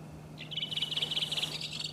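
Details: Redwing in Iceland, April, giving a quick trilled chatter of evenly repeated high notes lasting about a second, ending in a few brighter whistled notes, with a low background hum.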